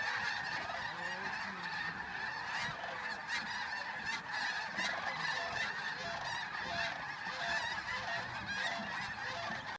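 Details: Large flock of geese taking flight at dawn at the Flight Deck, Bosque del Apache, San Antonio, New Mexico, filmed 11/10/2013; dense, overlapping nasal honking forms a constant loud chorus throughout, with no pause between calls.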